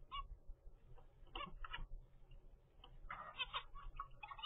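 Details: Zebra finch baby, 25 days old and bred in captivity: a quick run of overlapping buzzy nasal calls, denser toward the end, over a constant low hum.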